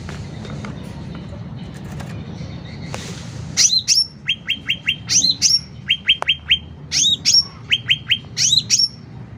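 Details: Sooty-headed bulbul song, used as a master track for training caged birds and as a lure: after a quiet start, loud repeated phrases of sharp upward-sweeping notes followed by a quick series of three or four clipped chips.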